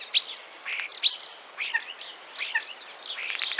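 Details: A Common Starling from Central Russia sings a rambling song of sharp whistles, clicks and squeaky chatter in quick, uneven bursts, with no other clear sounds.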